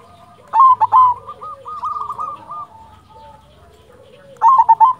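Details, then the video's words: Actively singing silver zebra dove, local bird: loud rapid stuttered phrase, a run of softer hooked coos fading out, then another loud burst at the end. "Perkutut silver gacor"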